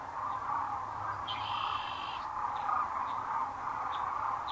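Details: Arriving at their roost at sunset, April 4, 2013, at Rowe Sanctuary in Gibbon, Nebraska, sandhill cranes fill a webcam recording with a dense rolling chorus; a longer high whistle stands out early, followed by brief chirps.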